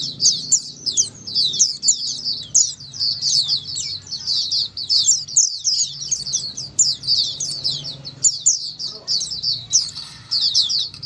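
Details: Indonesian pleci, the Oriental white-eye, in clear ombyokan song to coax other white-eyes into singing; long stream of rapid, high, sweet twitters with brief breaks and a soft low hum.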